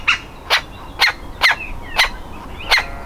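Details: Fledging-age woodpecker nestling trying to escape its hole, uttering six loud raspy calls about half a second apart, with a low background hiss.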